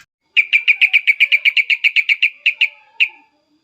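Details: Agitated Sooty-headed bulbul, loud cuk-cuk calls meant to provoke other bulbuls into replying; a quick run of about sixteen sharp, evenly spaced chirps that slows and thins out at the end, in a quiet setting.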